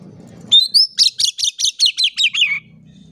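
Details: Oriental magpie-robin song intended to spur silent magpie-robins to sing: a rising clear whistle, then about ten crisp, evenly paced high notes slowly falling in pitch, over faint low hum.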